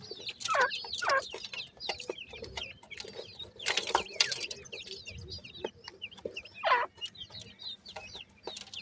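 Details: Francolin chicks, called teetar, feeding: dense high-pitched peeps run throughout. Loud rasping chirps come near the start and again later, with clattering pecks and handling noise.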